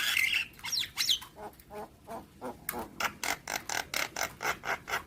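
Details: Javan myna training song for young birds: a few high whistles open, then a harsh, grating chatter repeated steadily about once a second, each note loud and noisy.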